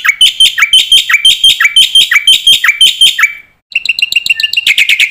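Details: Black-winged myna master song, used to spur and train young mynas, full of filler phrases: a rapid series of bright, buzzy chirps falling in pitch, about two per second, a short pause, then quicker clipped chirps.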